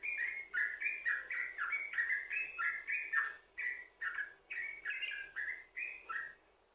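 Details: Yellow-vented bulbul pouring out a rolling string of clear, bubbly notes, roughly two per second, with some down-slurred notes, meant as a lure to make other bulbuls sing; fades out at the end.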